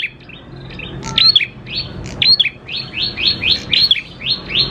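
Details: Lively prenjak klawu prinia song for luring other prinias to sing: a run of bright, rising chirps repeated rapidly in the second half, preceded by scattered short tweets over a faint low rumble.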